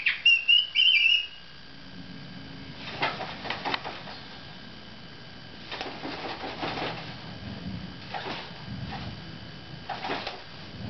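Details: Female black palm cockatoo kept as a pet, calling indoors: a loud, warbling, wavering whistle for about a second, followed by several quieter, scratchy, broadband bursts spaced a second or two apart.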